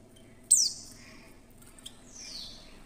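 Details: Female Oriental white-eye giving one sharp, high, downward-sweeping note, a call meant to lure other white-eyes into song, followed by a quieter, thinner descending tone a second and a half later.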